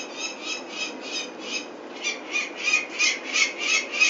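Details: Peregrine falcons at Venlo, Netherlands, on 21 May 2024 while their chicks are taken for ringing: harsh, rasping calls repeated about three times a second, steady at first, then growing louder and more insistent.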